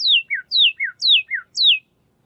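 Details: Pyrrhuloxia (Cardinalis sinuatus) whistled call: clear downslurred whistles alternating between high and lower notes, about seven in under two seconds, with no other sounds.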